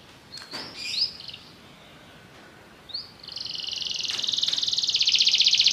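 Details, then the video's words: Belgian canary giving a few faint rising notes, then after a quiet gap a loud, fast, even buzzing trill that builds over the last two and a half seconds. "espetacular canto canário belga"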